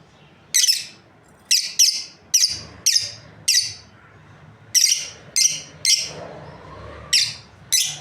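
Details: Chirping from a breeding pair of lovebirds: a lively run of about twelve shrill, high, clipped chirps, some in quick pairs, roughly every half second to one second.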